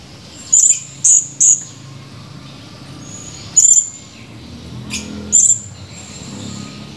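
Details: Blue-crowned hanging parrot, male, recorded on 17 July 2020, giving a quick run of three shrill high chirps, then two more isolated piercing notes after pauses, with soft low rumble behind.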